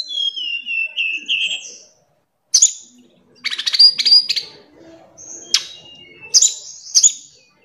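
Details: Afternoon song of a tledekan gunung: thin, high wavering whistles followed by bursts of buzzy, clustered notes and sharp chips, with short pauses between phrases.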